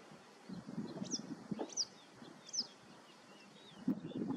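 Three thin, high, sweeping calls from a yellow wagtail, spaced under a second apart, over a steady low rumble of wind or distant traffic.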